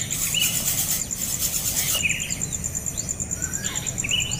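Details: Young bird screaming as its parent attacks it after it keeps begging for more food despite being fed: short, squeaky, sliding chirps repeated irregularly over a steady high insect whine, with a burst of rustling noise early on.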